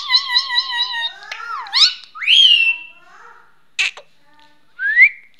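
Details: Indian ringneck parrot kept as a pet, talking: a loud wavering, warbling tone opens, followed by swooping whistled sweeps, a brief harsh burst and a final rising whistle, delivered as separate clear phrases with gaps between.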